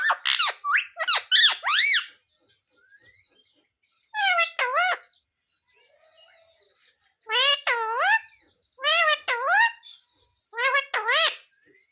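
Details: Talking parrot said to say "sita-ram", "jay shree ram" and "mummy papa": high, nasal, speech-like syllables in quick bursts, a cluster of four, then a pair, then two more groups, with short silences between.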